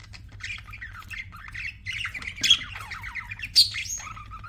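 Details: Budgerigars chirping and squawking in continuous warbled chatter, with two sharp high squeaks and a falling whistle at the close.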